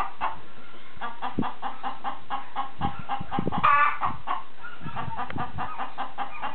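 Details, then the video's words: A chicken clucks continuously in quick, even pulses, with one brief louder squawk in the middle and some low thumping noise underneath. "Chicken Making Noise"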